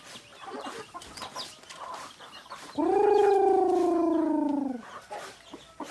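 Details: Native chicken from a flock of roosters and hens: one loud, drawn-out harmonic call lasting about two seconds, slowly falling in pitch, set against fainter clucking and chirping from other birds.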